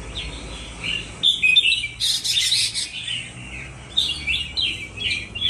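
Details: Two large Indonesian red-whiskered bulbuls in a singing duel, tails softly spread: bright, fast, warbling whistled phrases in quick bursts, with a louder, harsher chattering outburst around the middle.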